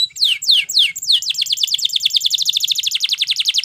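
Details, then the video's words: Belgian canary singing as a training song for other canaries: a few slow, sweeping downslurred whistles speed into a long, even trill of rapid descending notes. "Belgie Canary Seduces All Canaries To Sing / Canary Singing For Training"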